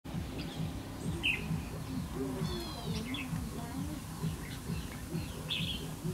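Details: Red-whiskered bulbul decoy singing at a trapping site on 28 November 2015 to lure wild birds; brief high chirped and whistled notes in scattered bursts over a steady low rumble of background noise.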